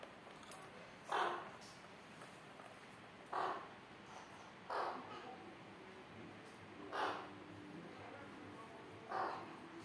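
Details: Alexandrine parakeet chicks, Kashmiri Raw parrot babies, giving harsh, raspy calls repeated about every two seconds, five in all, over a steady faint hiss.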